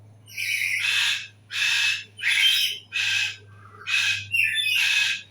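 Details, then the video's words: Bird calling in a fast series of six rough, raspy squawks, each about half a second long and spaced closely, with a faint rising whistle between the last calls and a low steady hum underneath. "Hari Ini Dengarkan Suara Burung"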